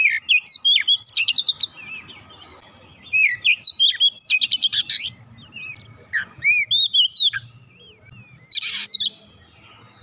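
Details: Oriental magpie-robin (kacer) singing in bursts of sharp rising and falling whistles and quick rattling notes, separated by short pauses, used as a lure to get a quiet kacer singing; faint low background hum.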